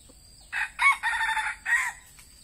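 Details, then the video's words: Tedung decoy red junglefowl, used for luring wild birds, delivers a single crow in four parts: a rough opening note, a stronger second, a sustained raspy stretch, then a last downward-curving syllable, over a quiet background. "AYAM PIKAT TEDUNG BERAKSI"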